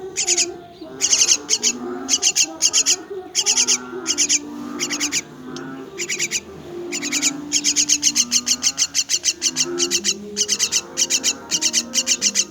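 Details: Myna chicks being fed, producing long volleys of rapid, harsh, high-pitched begging rasps, broken by short gaps, with soft low tonal sounds in the background.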